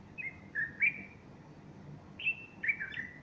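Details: Singing bulbul, morning of 30 August 2015, with a female standing alongside puffing her feathers; two short groups of mellow whistles, each of two or three slurred notes, with a pause of about a second between.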